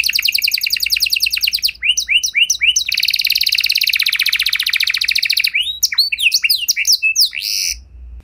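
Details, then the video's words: Canary singing to prompt other canaries to answer: a fast trill gives way to separate swept notes, then a long dense buzzy roll, ending with varied sharp chirps and whistled slides. "Kenari Gacor Lagu Istimewa! Langsung Nyaut Kenari Mana Saja Dengan Suara Burung Kenari Ini"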